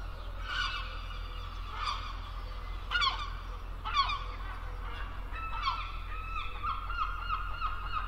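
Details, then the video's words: A gull gives harsh, nasal cries about once a second, then a longer run of drawn-out wailing notes, over a steady low rumble. "Le cri de la mouette et description 🦤 Bruit des mouettes, son d'une mouette"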